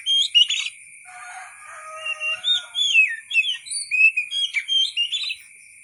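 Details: Oriental magpie-robin in a natural, wild-sounding recording, singing a varied song of clear whistled slurs and twisting notes in quick phrases, over steady high background tones.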